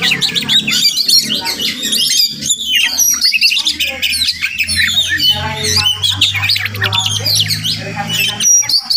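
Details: Wild Oriental magpie-robin recorded with limited equipment near a house; sustained rich song of squawks, whistles and scratchy chatter, occasional short pauses, and a steady low hum underneath later on.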